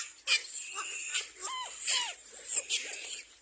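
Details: Little black cormorant attacking its own young: two short arched squawks with bright overtones, a second apart, over a steady high hiss and scattered clicks.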